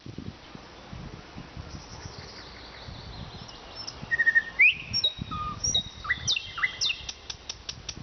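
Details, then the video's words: Nightingale singing in Vologda, Russia: after a quiet start, varied whistles, a rising slur and a low note, then a rapid run of sharp repeated ticks, with low background noise throughout. "Пение соловья"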